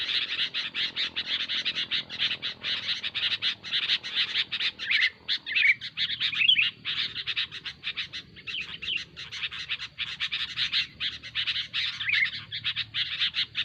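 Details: Noisy sooty-headed bulbul chatter lasting throughout: fast, dense scratchy notes with a few whistled slurs mixed in and a faint low hum in the background.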